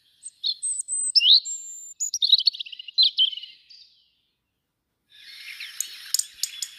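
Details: A young European robin at a bird webcam on 2 August gives thin, high whistles and quick twittering phrases for about four seconds, then a softer rustling hiss with faint ticks.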